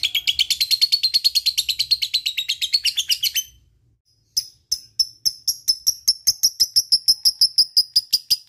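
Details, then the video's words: Ngekek chatter of a lovebird, used to stimulate lazy birds to call: a dense high chattering trill for about three seconds, a second of silence, then spaced, sharp chirps that speed up into a run again. "LB ngetik ngekek GAcooor bagus untuk pancing lb malas bunyi"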